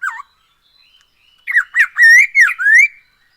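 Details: Black-throated laughingthrush singing daily, used as a lure to get other birds singing: a falling whistle, a pause, then five loud, rich, slurred whistles rising and falling over about a second and a half.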